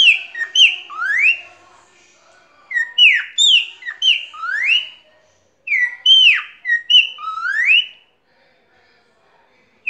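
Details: A tame male cockatiel singing while perched on a hand: clear whistled phrases of swooping and rising notes in three bursts of about two seconds each, with short pauses between them.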